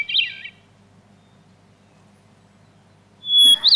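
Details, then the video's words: Hermit Thrush song, a North American bird alternating short songs with longer silences: the tail of one fluty phrase, a pause of about three seconds, then a clear held whistle breaking into higher, swirling notes. "here is the song of one of my favorite North American birds the hermit thrush which uses patterns on many levels"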